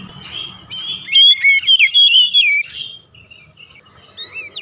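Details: Oriental magpie-robin lure song for home-kept birds: one strong phrase of fluting whistles and quick slurs lasting about two seconds, then soft, scattered notes trailing off.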